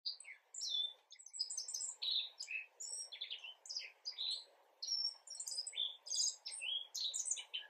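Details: Black-faced bunting (Emberiza spodocephala) giving a polished subsong almost like full song, recorded 10 April 2022: a continuous, rambling jumble of high, thin chirps, twitters and short slurred notes over a steady low hum.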